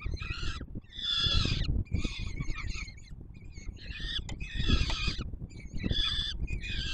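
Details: Begging peregrine falcon nestlings being fed by the adult male atop the Palace of Culture and Science in Warsaw, Poland, July 2022: repeated grating, buzzy wails in bursts of under a second, several birds overlapping, with low-frequency background hum.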